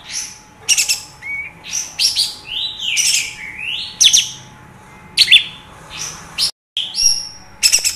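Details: Kapas tembak bulbul from Padang, a lure recording played to caged birds to rouse their fighting temper and make them sing. Loud whistled and buzzy phrases, some rising and some falling, in separate bursts with short pauses, over a steady faint hum.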